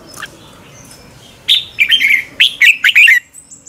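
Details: A red-whiskered bulbul sings its competition morning song, a training lure for other birds: after a faint note, a loud phrase of rapid, liquid whistles with downward slurs, closing with soft high notes.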